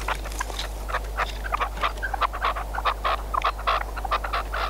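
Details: Hunting decoy red-legged partridge uttering repeated harsh, slightly ringing chuck notes in uneven clusters, roughly one prominent note per second, with a constant low background hum.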